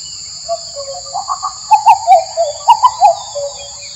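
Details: Uncommon call of a male Eurasian or common cuckoo, Cuculus canorus, very excited to mate with a female: low bubbling, gurgling notes in quick clusters, building then easing, over a steady high insect-like hiss.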